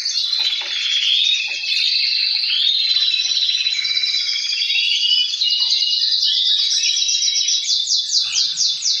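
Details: Chorus of male canaries singing to stimulate breeding, a strong lead bird with others responding: smooth warbled glides and rolls at high pitch, closing with a fast series of sharp repeated chips.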